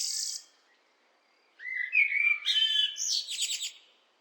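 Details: After a faint high twitter and a quiet gap, a blackbird gives one flowing whistled phrase that climbs into a rapid, buzzy, trilled ending.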